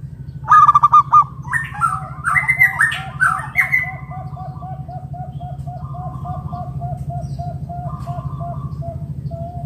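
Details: Local wild zebra dove luring other doves to call; a sharp staccato burst and harsher rising notes, then a long even string of soft repeated coo notes over a low steady hum.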